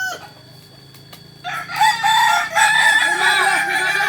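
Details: Indonesian Kokok Balenggek crowing chicken at practice in Ampang Kualo, Solok, West Sumatra; a quiet opening gives way after one and a half seconds to a loud, layered crow of repeated wavering syllables, with other birds crowing behind.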